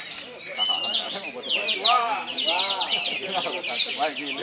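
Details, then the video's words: Contest white-eye, called kapas tembak, a repeat champion at a bird competition in Ketapang, Krotosari, delivers dense high twittering with fast trills and sharp rising and falling whistles, over background talk. "Juara Bertahan Kapas Tembak KIPAS SR Double Winner"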